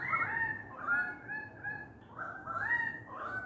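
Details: Australian magpies outside a window, together with currawongs; a rich, warbling, fluting carol of linked notes that slide and step between pitches, in several phrases.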